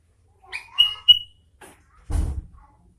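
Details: Sooty-headed bulbul: two loud, clear whistled notes about a quarter second apart with softer notes around them, followed by a short low rustling thump.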